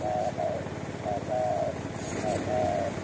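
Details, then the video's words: Street spotted dove in Indonesia, wild and bold, singing the 'kuk satu' coo during a luring attempt. Mellow hooting notes come in quick pairs, each ending in a longer drawn coo, with engine hum behind. "FULL KUK SATU‼️TEKUKUR JALANAN GAR4NG DAN PEMBERANI"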